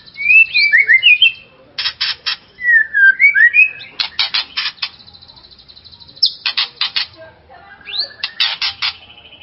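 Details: White-rumped shama song used to provoke another shama: looping whistled phrases alternating with harsh rasping bursts and a long thin high whistle, repeated through the clip.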